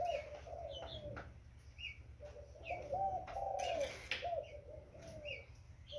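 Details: Young spotted dove giving soft, low cooing phrases, a run of rough coos in the middle, with a faint higher chirp at times and a steady low hum beneath.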